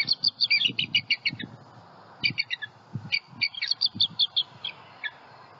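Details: Bald eagle pair at their Florida nest with eaglets, on high alert following an owl strike. Loud, rapid, high-pitched chatter comes in quick staccato runs separated by short gaps, with low rustling noise below.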